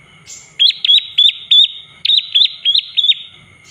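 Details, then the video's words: Olive-backed tailorbird lure call for stirring other birds to sing: two bursts of four loud, high, flat-topped chirps, each ending in a quick downward flick, spaced evenly with a short pause between bursts. "Pancingan suara prenjak lumut biar emosi naik dan gacor"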